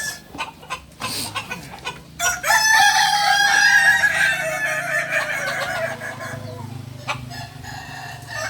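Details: Kukuak balenggek rooster at a Sunday session in Ampangkualo, giving a long, drawn-out crow of several linked notes over about four seconds, amid background chatter and clicks.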